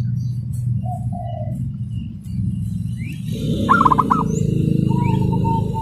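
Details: Local zebra dove, a contest prospect, giving its rapid tight song: soft paired coos early, then one quick burst of about five stuttering notes followed by a long even cooing tone, over low droning background.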